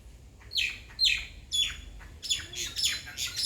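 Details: Bird calling with a series of sharp, high chirps that sweep steeply downward. The chirps come in separate bursts about every half second, then quicken into denser, overlapping notes toward the end.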